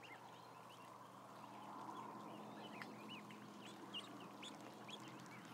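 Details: Around a thousand ducklings idling, a dense chorus of many high, short peeps, each a quick upward-bending chirp, overlapping constantly over a steady low mechanical hum and broad hiss.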